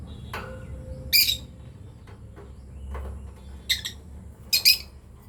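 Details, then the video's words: Lovebirds of a breeding pair calling with scattered harsh, piercing chirps: one early, then a double chirp late on, over faint low background noise. "Lovebirds chirping sound"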